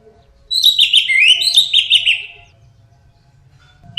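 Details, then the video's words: Orange-headed thrush, teler style, delivering one two-second run of fast, tumbling warbled notes, dense and mimic-like, followed by quiet and low hum. "Kicau Anis Merah Teler"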